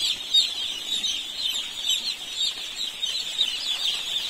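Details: Many baby chicks in a poultry farm in India, giving a dense chorus of high, shrill overlapping peeps that run without pause, with quick wavering chirps stacked on top of one another.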